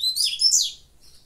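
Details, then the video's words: Caged double-collared seedeater singing the revés style of song while its cage is held in the hand; a brief, loud burst of high, rapid, warbling notes sliding up and down, ending with a fainter trailing note. "Coleiro revés cantando de gaiola na mão"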